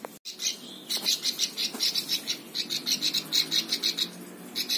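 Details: Plain prinia song meant as a master recording for other birds: quick, high, buzzy chirps in an even series of several notes a second, with one short gap, over a faint hum.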